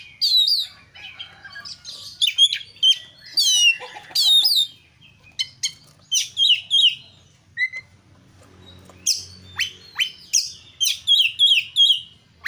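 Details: Oriental magpie-robin (kacer) in lively gacor song for lure practice: rapid bursts of bright looping whistles and chips, a quieter lull mid-way, then renewed quick repeated phrases.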